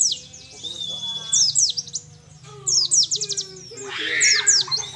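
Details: Mountain white-eye, a young wild bird from Mount Ciremai in Majalengka, West Java, starting nembak material after a month of tutoring; high chattering chirp runs and a steady whistle over lower tonal notes and a faint hum.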